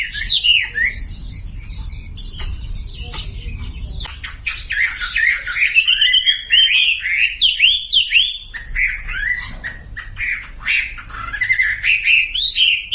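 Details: Sumatran leafbird lure recording for quiet birds: scattered chips and clicks, then a lively stream of varied whistled and warbled phrases that grows louder toward the end.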